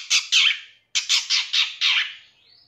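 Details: Harsh, broad, squawky notes from a long-tailed shrike, given as part of a master recording for training captive birds: two rasping calls, a gap, then five more repeated about every quarter second, trailing into a faint rising whistle.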